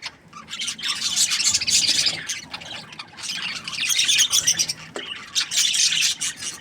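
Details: Parakeets, called budgies, give a loud, grating warble of squawks and chirps that swells into two long, dense bursts, broken by a short lull.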